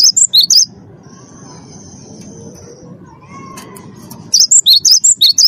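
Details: Lure song of a champion Cinereous tit meant to set captive birds singing: quick strings of high, alternating piercing notes at the start and end, with a gap between that holds a faint steady tone and low hum.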